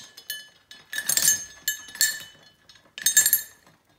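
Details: A small bell rings in bright glassy jingles, in clusters about a second apart, as a pet macaw plays with it indoors; no calls or speech stand out.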